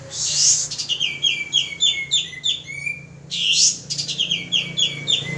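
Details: Male pied triller singing vigorously as a lure: two harsh rasps each followed by rapid trains of short falling whistles.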